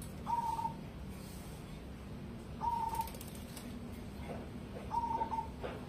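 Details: Zebra dove of the cemani type, a competition-grade bird, giving three short trilled coos near the same pitch, about one every two and a half seconds, faint against a steady low background hiss.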